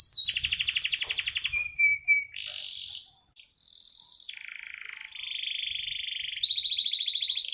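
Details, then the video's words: Kept canary singing a varied rolling song: a fast high trill, a thin level whistle, then buzzy sustained phrases and dry rattling trills, broken by a brief pause, finishing with a rapid high repeated trill. "BURUNG KENARI 30 DETIK LANGSUNG NGEROLL|| Denger Cuit-Cuit Kenari Gacor!!!"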